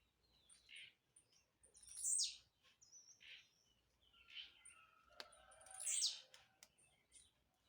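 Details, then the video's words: Blue-black grassquit, a jumping male singing anywhere, gives short buzzy chirps and two loud sweeping notes that rise and fall sharply, about four seconds apart, with faint thin whistles and clicks between. "Tiziu pulador não tem lugar ruim pra ele cantar"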